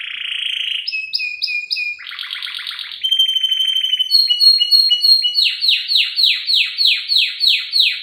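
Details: Canary, female luring a male, in a tutor recording: shifting phrases of short whistles, a buzzy rattle, a fine trill, then loud downslurred notes repeated roughly twice a second.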